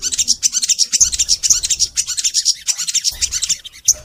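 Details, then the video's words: Crimson sunbird singing long and continuously, a master recording used to prompt kept sunbirds to sing: dense, rapid, high-pitched chirps and twittering notes in quick succession, clear and energetic, with no other sounds. "Suara Sogon Gacor Panjang"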